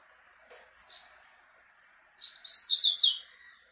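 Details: Double-collared seedeater facing a female: a thin, high note, a pause, then a loud, fast, squeaky tumbling phrase over a faint steady background hum.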